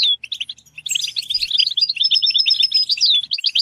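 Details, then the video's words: European goldfinch, a singing bird being stimulated to sing, delivering a fast, liquid twitter of high chirps mixed with clear, thin whistled notes held briefly, over a quiet background. "Comprehensive guide to stimulating and singing the goldfinch"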